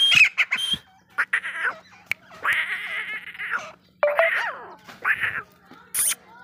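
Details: Grey francolin, known locally as desi teetar, giving loud harsh drawn-out calls in phrases about a second long, repeated several times, opening with a few sharp clicking notes.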